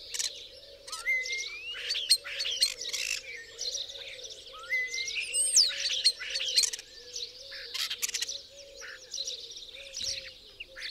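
A common starling gives a chattering mix of clicks, rattles and slurred, rising whistles.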